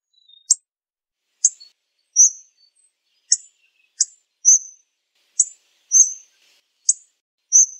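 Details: Hawfinch alternating very short sharp ticks with slightly longer thin descending whistles, about ten notes in steady succession with no other sounds.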